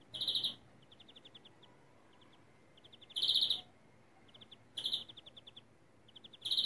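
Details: Greenfinch song of the 'kekeme yelve' stuttering type: short, bright, rattling trill bursts recur irregularly, every one to two seconds, with faint quick ticking series between them.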